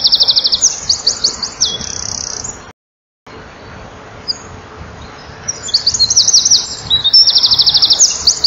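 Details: Eurasian wren male at a nest-wall camera, 7 June 2012, late afternoon, belting out song for females close by: fast, piercing trills at the start, a brief gap of silence, then another rattling, high-pitched trilled phrase.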